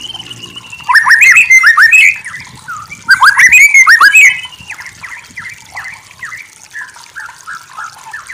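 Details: White-rumped shama (murai batu) masteran-style song in two loud bursts of quick slurred whistles and chattering trills, each about a second long, followed by softer scattered notes over faint background noise.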